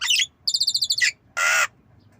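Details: Javan myna learning to cough gives a loud harsh note, a quick rattling series of about ten metallic chips, then one long, flat, coughing rasp, with quiet surroundings.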